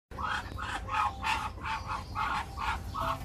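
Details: Ducks quacking in a quick series of nasal, harsh notes, about two or three per second, each a short burst with a steady low hum underneath.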